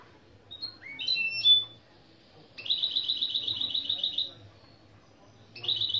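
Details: Goldfinch × canary mule, a tutor recording of mule song openings: rising whistled notes, then a long rapid trill of repeated bright notes lasting nearly two seconds, followed by a new trill starting. Low steady hum underneath.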